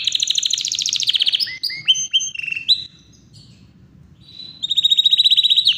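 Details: Yorkshire canary singing powerfully without pause: fast buzzy trills, then a series of rising and falling whistled phrases, a short quieter gap, and a loud rapid trill returning at the end.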